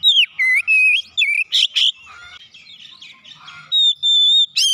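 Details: Oriental magpie-robin song intended to start caged birds singing. Loud whistled slurs and warbles come in quick succession, with scratchy chattering notes in the middle, then a long steady whistle and an abrupt rising flourish.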